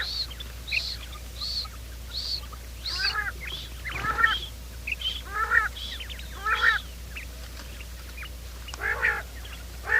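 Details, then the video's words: Quail heard in a morning trapping lure: a series of clear high ringing arcs repeated evenly, then rougher harmonic nasal calls from more birds joining in, with a faint steady hum throughout. "quail sound"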